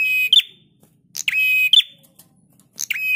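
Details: Prinia training master recording: about three clipped phrases, each a buzzy, metallic-sounding trill over a sustained whistle with a sharp rising flick at its end, separated by brief pauses.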